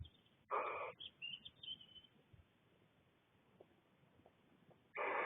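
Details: Barn owlets in a Cornish nest box, six chicks left alone while the mother stretches her wings; one short harsh hiss near the start and another at the end, with faint chirpy notes and rustling between.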